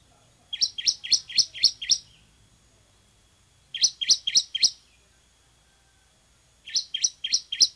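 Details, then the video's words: Bar-winged prinia, the semi form, singing energetically: three bursts of five or six fast, high, clipped chip notes, each run separated by a pause of about two seconds. "MASTERAN CIBLEK SEMI GACOR VOLUME TEMBUS"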